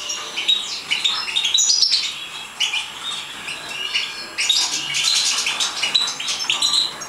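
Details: A captive-bred European goldfinch in Morocco sings a fast, tinkling jumble of high twitters and liquid trills, nearly continuous, with a brief pause midway.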